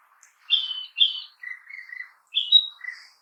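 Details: Narcissus flycatcher song from within a forest, a sequence of clear whistled notes: two bright high slurred notes, three lower warbled notes, then a rising high whistle and a final lower note, in a quiet background.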